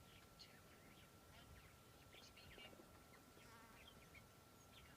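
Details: Chitter chatter of red-winged starlings in hot, breezy weather on 13 March 2023: scattered quick chirps and slurred whistles, soft and distant, with wind rumble and a constant faint electronic tone.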